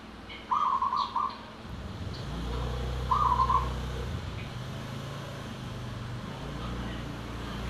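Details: Local zebra dove (perkutut lokal) sings in the anggungan style: two soft rolling, stuttered cooing phrases, the first longer, over heavy low traffic rumble.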